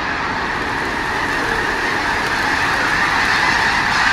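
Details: Sandhill cranes in a huge flock at Bosque del Apache refuge during the Festival of the Cranes, November 2003 or 2004, lifting off together in a flyoff: a dense, unbroken roar of overlapping rolling calls, steady throughout.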